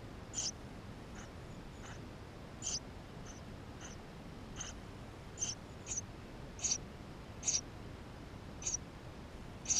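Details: Tree sparrow chicks begging inside their nest, recorded by a GoPro: about a dozen short, high-pitched squeaks scattered over ten seconds, some louder than others, with faint softer cheeps between them.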